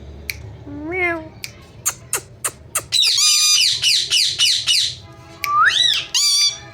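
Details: Ringneck parrot talking "mithu mithu": faint clicks and a short wavering voice-like note, then a dense burst of rapid harsh squawks and a rising, then falling, nasal phrase at the end.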